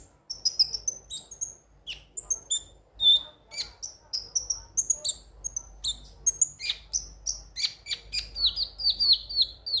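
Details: Konin sunbird giving a long, fast chattering song of thin high chirps and short downslurred whistles, delivered almost continuously and growing busier toward the end.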